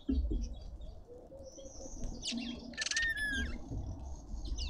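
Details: Red-winged starling feeding in a suburban garden in Pretoria, South Africa: a harsh rasping burst, then a clear whistled note that slides down, with faint chirps and low background hum.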